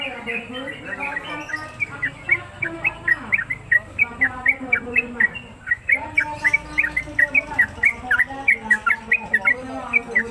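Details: Newly acquired caged trucuk (Yellow-vented Bulbul) on a hanging hook at home, singing a long 'ropelan' run: steady bright chirped notes, several per second, with a brief pause midway and low human voices beneath.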